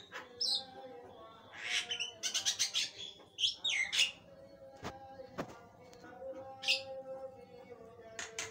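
A Javan myna sings a busy, varied song of harsh chatters, rasping bursts and squeaky whistles, with a faint steady hum underneath.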